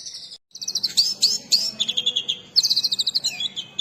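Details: Kacer or oriental magpie-robin with a fancy mimicking song used as a lure and training master: a short pause, then sharp chipping trills, scratchy bursts and fast runs of repeated high notes, light background hum.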